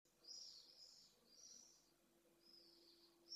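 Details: Pallid swifts at a nest in Jerez de la Frontera, Spain, viewed by a remote overhead nest camera; faint, high, buzzy screams in several drawn-out bursts over a quiet background with a steady low hum.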